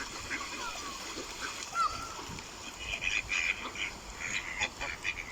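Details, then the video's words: Duck voices among natural background sound, scattered nasal quacks and a few sliding calls, growing busier in the second half amid faint splashing. "Ducks with Natural Sound."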